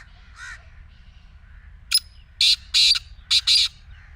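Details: Black francolin call meant to prompt a silent kept partridge to start calling: one harsh, grating phrase of about five rasping notes in quick succession after a short lead-in, with a faint softer call just before it.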